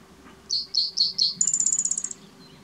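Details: Spotted Towhee singing at Hop Trailhead, Zion National Park, on 12 May 2017: four quick, clipped introductory notes, then a fast, high, buzzy trill lasting under a second, over a faint low hum.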